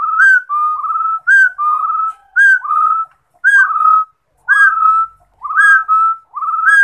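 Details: A rufous-throated partridge sings a steady run of whistled phrases, each a brief rising note then a longer smooth whistle, given about once per second, clean and close with nothing else heard.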